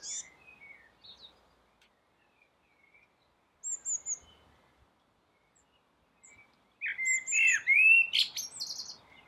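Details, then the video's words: Rooftop song of a common blackbird. Scattered soft fluty notes and a thin high whistle lead into a loud, rich warbled phrase with sliding whistles and a scratchy high flourish at the end. "Blackbird singing"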